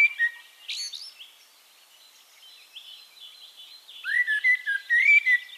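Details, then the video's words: Eurasian blackbird in Castricum, the Netherlands, ending one phrase with a squeaky flourish, then after a pause, with background chirping, delivering a clear, mellow, fluted warble of several connected whistles. "One Hour Relaxing Birdsong: Blackbird"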